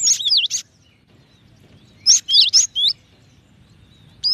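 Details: A cinereous tit gives short clusters of high, wavering whistled notes, a brief phrase at the start and another after a long silence, ending with a single sharp note.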